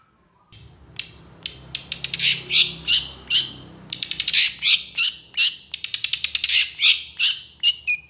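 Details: Long-tailed shrike in fiery, long-shooting song meant to stimulate other shrikes: rapid harsh scratchy notes repeated in quick irregular series, pausing briefly and starting again, all high-pitched and grating.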